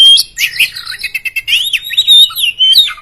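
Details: Kacer poci, an Oriental magpie-robin, singing in gacor competition style to provoke rivals: a dense, fast stream of whistled slurs and chattering notes with barely a break.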